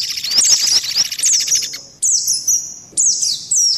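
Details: Lure mix of mantenan and pelatuk beras white-eyes: quick high chirps with a soft trill, then abrupt separate phrases of high descending whistles.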